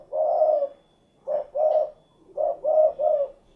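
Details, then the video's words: Rhythmic low cooing from a derkuku, the spotted dove: a long coo, then a pair of notes, then a triplet, the phrase building kuk-kuk-geruk in soft, warm, evenly pitched hoots. "SUARA BURUNG DERKUKU / CUKURUKUK KUK GERUK"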